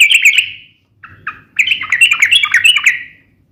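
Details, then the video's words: Sooty-headed bulbul sings a sharp, rapid fighting song to stir other bulbuls into answering: a quick bubbly phrase, a pause, two lower notes, then a longer chattering run of mixed high and low notes. "trucukan gacor SUARA TAJAM TARUNG ROPEL"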